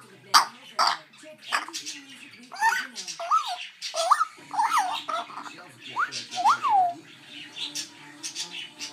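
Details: Young pet African grey parrot making its first attempts to talk and mimic people: squawks and clicks, then a series of arched whistled notes that rise and fall, mixed with soft speech-like sounds.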